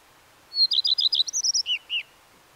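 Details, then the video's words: A Common redstart sings one phrase: a high drawn-out note followed by about ten crisp repeated chirps, ending in two lower slurred notes. Quiet surroundings. "The song of the Common Redstart"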